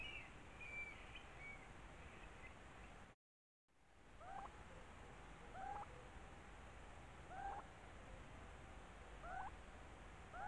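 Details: Nesting Eurasian stone-curlew (Burhinus oedicnemus) calling: short, wailing, rising-falling notes repeated about every two seconds, over a steady wash of background noise, with a brief break in the sound.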